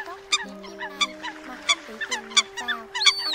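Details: Eurasian coot in the 'water-treading' version, a lone bird calling apart from its flock, used for night net trapping during the 2022 migration season in Vietnam; short sharp nasal notes repeated irregularly over steady droning tones.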